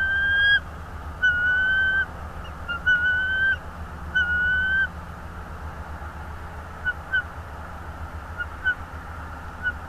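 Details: Whistled calls of a bald eagle at a wild nest in north east Florida, nest camera, 24 January 2022, 16:40: several long flat piping notes, then quieter short notes spaced out, against a constant low hum.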